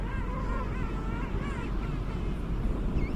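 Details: Penguin giving faint, wavering harmonic calls, rising and falling notes repeated through the short stretch, half buried under heavy low wind rumble.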